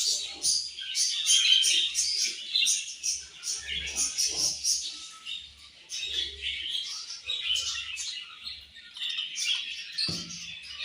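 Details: Many budgies chirping at morning feeding time, with steady high-pitched chatter punctuated by quick repeated chirp bursts and a lower thump near the end.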